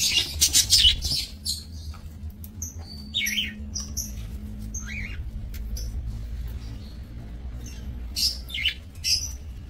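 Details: Budgerigars kept for breeding in a small minimalist aviary, 28 November 2024; scattered short warbled and chirped notes with rising and falling sweeps, several birds calling irregularly, low steady hum underneath.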